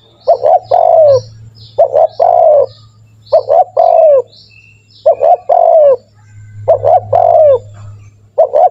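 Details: Lure call of a spotted dove for training caged doves to start calling: about five repeated phrases, each a quick pair of short notes followed by a drawn-out, slightly falling coo, with a faint low hum beneath.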